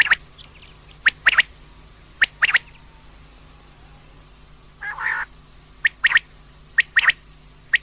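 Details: Female common quail calling repeatedly: crisp, high triple-note phrases, a single note then a fast double, about once a second, broken by a brief soft rushing burst midway.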